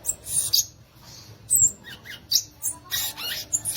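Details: Short burst of violaceous euphonia song, with a few bright high squeaks and chips in quick clusters separated by brief silent gaps.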